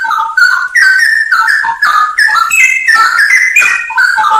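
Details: Full 'isian nembak' masteran song of a Straw-headed bulbul: unbroken, rollicking, fluty whistles, sliding notes strung together in fast, bubbling phrases with brief dips between bursts.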